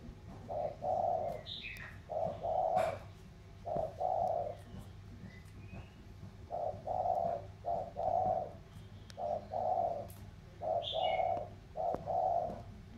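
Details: Spotted doves of the 'thổ' voice style in a cooing contest, a Mekong Delta bird from Sóc Trăng against a mountain bird from Cam Ranh. Low hollow coos come in paired bursts about every second, with faint higher chirps from other birds.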